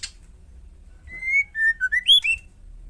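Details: Female white-rumped shama calling to provoke males into answering: a sharp click, then a long level whistle followed by a quick run of slurred, rising and falling whistled notes.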